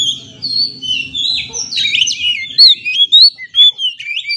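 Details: Kacer, or Oriental magpie-robin, singing as a lure for stressed birds: a low hum at first, then loud sweeping whistles and sharp upslurred notes in a rapid, varied phrase.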